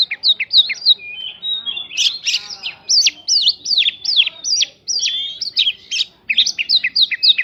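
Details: Prinjak-filled white-rumped shama song for prompting other birds to respond; long dense stream of sharp slurred whistles and chattering notes at a quick pace, with a brief pause near five seconds.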